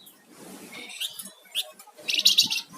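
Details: Vocal flamboyan songbird giving rising chirps, then a dense buzzy chattering burst that ends the phrase, over soft low background noise.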